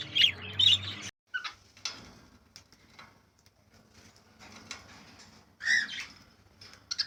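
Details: White cockatoo calling with harsh, broadband squawks, a pair at the start and another burst near the end. Quieter scratchy sounds and wing flaps fill the gaps between them.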